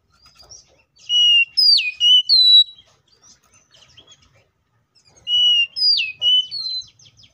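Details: Oriental magpie-robin in loud fighting song, used to provoke other magpie-robins into singing: two bursts of rich whistled phrases, sliding and swooping notes mixed with sharp upward flicks, separated by a quiet gap with faint softer twittering.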